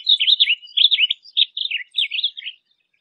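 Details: Singing blue grosbeak, one of its song variations: a hurried series of burry, looping warbled phrases, each note sliding up then down, with brief gaps between groups.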